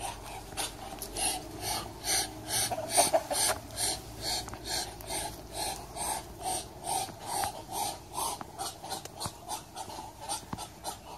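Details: Muscovy duck making a long run of rhythmic, breathy hissing huffs, roughly two per second and fairly steady in loudness throughout, with a few faint clicks in the background.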